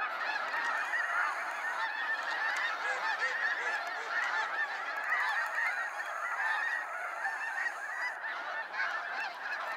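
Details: Waves of snow geese flying out at sunset from Sacramento National Wildlife Refuge, a massed chorus of high nasal honks layered into a steady, unbroken din.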